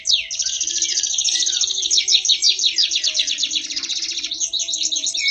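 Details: Award-winning canary in full song: an unbroken, very fast high trill of pulsed notes lasting over five seconds, varying slightly in speed, with a faint low steady hum beneath.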